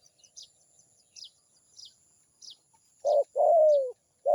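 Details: Small birds chirp thinly and repeatedly at first. Then a zebra dove breaks in with loud, low coos, one long note sliding downward between short clipped ones.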